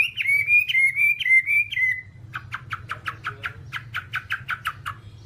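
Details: Whambie song used as tutor material for captive birds. A string of wavering whistled notes that drift downward gives way to a fast series of short, evenly spaced sharp chips. Faint low hum throughout.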